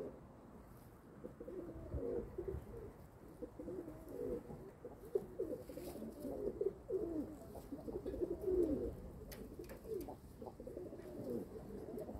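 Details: Several kept domestic pigeons cooing together: low, throaty, rolling coos overlap almost without pause, each phrase gently rising and falling, with a few faint clicks and knocks in the background.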